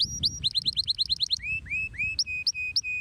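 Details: Canary giving a long, shrill song: about eight quick rising whistled notes, then three slurred upward-sweeping whistles, then sharp, clipped notes repeated in a steady run. Faint low rumble underneath.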